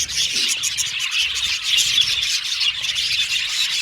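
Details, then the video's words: Several caged budgerigars singing and chirping: a thick blend of high warbled chirps and twitters with short bursts of rapid chatter, loudest around the middle. "Budgies Singing And Chirping Sound"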